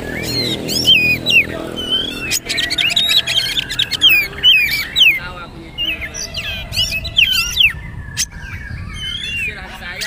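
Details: Oriental magpie-robin poci trotol song as tutor material: quick varied whistled phrases and rattling trills, loudest early on, then softer scattered notes over a faint low hum.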